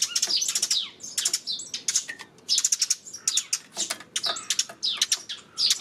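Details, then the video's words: Eurasian tree sparrows recorded on 28 May, giving a dense run of sharp, high chirps in quick overlapping bursts, several birds seemingly calling at once with barely a pause. "今日のスズメ 5月28日"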